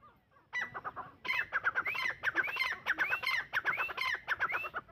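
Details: Francolin (teetar) calling: loud, fast runs of harmonic, clucking notes broken by rising, upswept whistled notes. The phrases repeat about every half second after a short quiet start, with little background sound.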